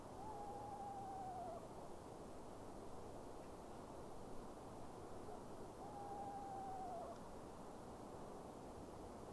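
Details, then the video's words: Eastern Screech-Owl calling in darkness late at night, possibly seeking a spring mate, with another heard in the woods. It gives two quavering, descending whinnies about five seconds apart over a low rumble, and a background bang thought to be a shotgun. "Eastern screech owl calls"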